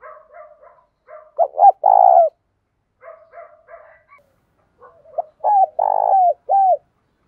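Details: Spotted dove luring wild doves with its morning call in 'thổ' style with 'thúc gù'. Two phrases of short hoots and a throbbing coo, the second ending with an extra brief note, with quiet chattering around.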